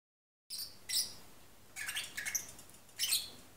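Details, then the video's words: A half-asleep pet lovebird sings softly, giving high chirps and squeaky twitters in short bursts with pauses between, low and drowsy in tone. "sleepy singing Lovebird Parrot / Agapornis Papagei singt im Halbschlaf"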